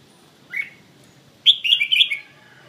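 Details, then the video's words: Red-whiskered bulbul in the bell-voiced song style: a short bright note, a pause, then a quick warbled phrase of clear, bell-like whistles rising and falling, ending in a soft trailing note. "Cm giong chuong"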